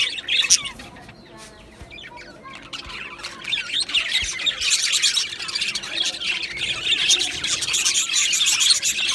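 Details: Budgerigars in an Australian budgie aviary colony, a dense chorus of chirps, chatter and squawks in the upper range, quieter at first and then swelling to a steady busy flock din.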